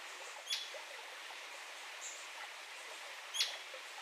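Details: Royal flycatcher: a pair of crisp, piercing single notes spaced roughly three seconds apart, short and sharply cut off, with faint background hiss between them.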